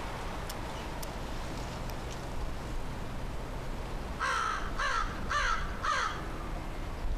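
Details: American crow perched in a tree on 15 September 2013, cawing while a person calls it down for a meal; four harsh, hoarse caws in quick succession about half a second apart, over a steady low outdoor rumble.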